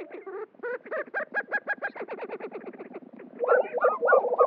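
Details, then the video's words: Several male lesser prairie-chickens at a spring lek in New Mexico, displaying and competing for passing females: rapid hollow bubbling notes, about three per second, overlapping into a thick yelping chorus toward the end. "Booming and strutting for sex"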